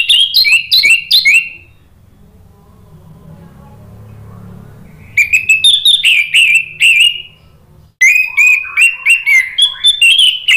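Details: Orange-headed thrush song used as a lure to prompt other birds to reply and sing: loud, rich whistled phrases full of quick slurred up-and-down notes, delivered in two-second bursts separated by pauses with a low hum.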